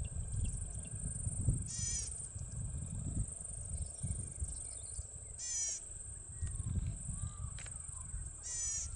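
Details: Golden-headed Cisticola (Cisticola exilis) at Mannus Lake, Tumbarumba, New South Wales, Australia, on 20 May 2021, giving a short, harsh buzz call about every three to four seconds over a steady high insect drone and low wind rumble.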